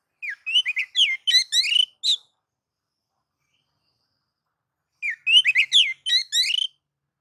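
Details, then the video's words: White-rumped shama song meant to provoke other shamas: two bursts of rapid harmonic chirps and whistled notes, each about two seconds long, separated by nearly three seconds of silence. "KACER akan ikut gacor dan emosi sebab kicau kacer mode nagan dan ngobra ini"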